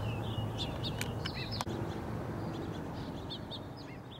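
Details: Purple-throated carib hummingbird, recorded 18 June 2015 and described as from California, giving quick, thin, high chips and twitters, several a second, over a steady low rumble.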